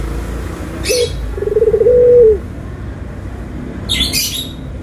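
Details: Dove from a white-versus-brown comparison giving a single short coo: a quick note, then a pulsing low coo that levels off and ends. Rustling bursts are heard before and after.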